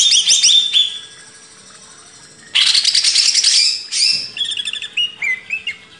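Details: Greater green leafbird master song for cage birds, opening with bright whistled notes, then a long harsh buzzy burst followed by short clipped chirps and downslurs.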